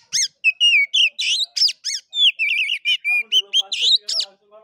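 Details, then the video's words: Oriental magpie-robin singing its fighting play style, known as 'gaya kura kura', used by hobbyists as a lure and stimulus for caged songbirds: loud clear whistles, warbled trills and sharp rising-falling notes in quick separate bursts. "KACER NGEPLAY TARUNG|GAYA KURA KURA"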